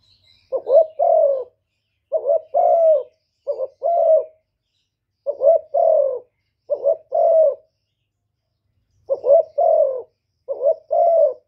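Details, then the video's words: Spotted dove performing 'thổ thúc' cooing and calling to provoke wild doves. Seven mellow two-part phrases come at irregular intervals, each a quick rising coo and then a fuller falling coo, with no other sounds. "cu gáy giọng thổ thúc gù + gáy gọi giọng rất chuẩn để kích bổi"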